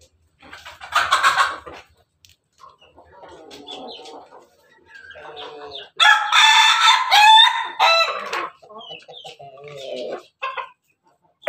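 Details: Perched atop a cage, a red Ayam Ketawa rooster (laughing chicken) crows melodiously. Low clucks and murmurs lead into a loud, rasping crow of roughly four seconds, broken into stuttering pulses, with brief trailing notes.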